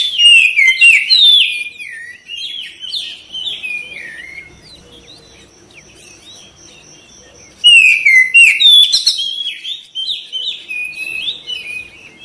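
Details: Singing Oriental magpie-robin, from audio aimed at prompting quick response and tail spreading: rapid jumbled whistles and chips, a softer middle stretch with a faint steady tone, then a loud renewed burst of warbled phrases.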